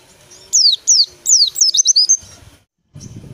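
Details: A white-eye gives a brisk phrase of about eight high, downslurred whistled notes that speed into a quick twittering finish. A brief low clatter follows.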